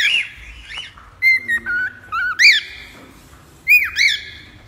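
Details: Pet cockatiel, a recording played to tame cockatiels: a loose series of short whistles and upward-sweeping chirps, some sharp and harmonic-rich, with pauses between notes and a faint low background hum.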